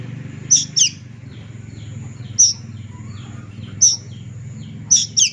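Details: Juvenile plaintive cuckoo giving thin, very high, sharp notes, some in quick pairs, six notes spaced irregularly over five seconds against a low steady background hum.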